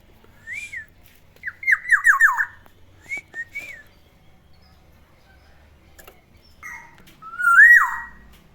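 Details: Captive pet black-naped oriole singing in the morning: clear fluted whistles near one pitch, a quick run of five falling slurred notes, then a loud rising-and-dropping whistle near the end, with quiet room background.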